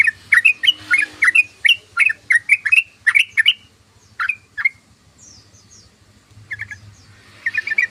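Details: Sooty-headed bulbul (trucukan) ngeriwik chatter: a fast string of sharp slurred chirps for three seconds, a few spaced notes, near silence with faint high twitters, then a short quiet chattering burst at the end; low hum throughout.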